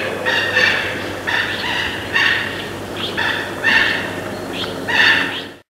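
A mandarin duck gives a run of short, reedy, high calls, about five in six seconds, some rising to a thin whistle, over a steady low hum.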